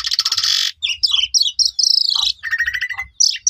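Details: Asian pied starling singing to stir up other starlings that have stopped calling: rapid buzzy rattles and chattering notes, then a clear falling whistle and a final harsh burst.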